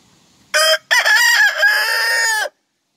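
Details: Full rooster crow: a short sharp opening note, a brief gap, then a long loud wavering cry about one and a half seconds long that ends abruptly, with quiet background.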